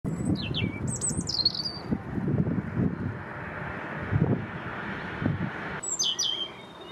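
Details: European robin recorded in Île-de-France, France, in 2024, giving short high thin trills and tinkling descending phrases with pauses between, over a steady low rumbling background.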